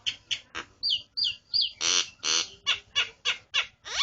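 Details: A person's own starling chattering steadily, about three notes a second, mixing squeaky whistles, looping slurs and two loud rasping buzzes, each note sharply separated by short silences.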